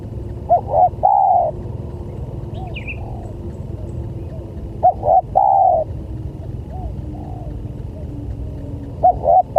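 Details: Spotted dove calling, used as a lure for other doves: three low cooing phrases, each two short clipped notes then a longer drawn-out coo, about four seconds apart, over a steady low rumble with a brief faint chirp.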